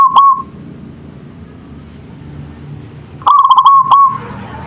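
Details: Local zebra dove (perkutut) in manggung song: the end of one phrase, a pause, then a full phrase of fast pulsed coos ending in a held note, followed by faint hiss.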